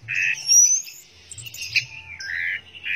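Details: Orange-headed thrush singing in teler style: a rich buzzy phrase, a bright whistled note rising high, then a quieter pause before further warbled notes, with a faint low hum underneath.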